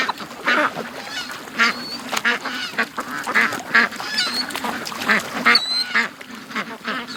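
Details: Domestic ducks hurrying from their pen to the creek in the morning; scattered loud quacks in ragged groups, with a few thin higher squeaky notes and a short scraping noise near the end.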